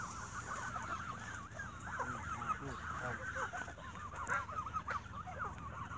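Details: Geese fed bread at dusk squabble amid a busy stream of bouncing, nasal honks from many birds at once, with a few brighter, sharper calls breaking through.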